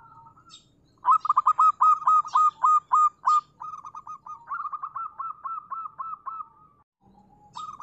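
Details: Local zebra dove singing a long, fast series of sharp staccato coos that softens into a smoother rolling trill, then a short low note and a new phrase starting.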